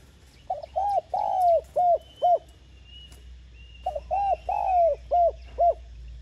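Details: Two complete coo phrases from a spotted dove, played to urge other doves to sing: each has a broken lead-in, one long coo and a few short coos. A steady low hum and a faint thin whistle run underneath.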